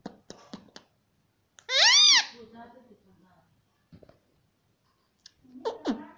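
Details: Talking pet parrot mimicking "Mummy" in a small room: soft clicks and taps, then one loud, rich, arching call around two seconds, with quieter syllables and a final burst of squeaky voice notes.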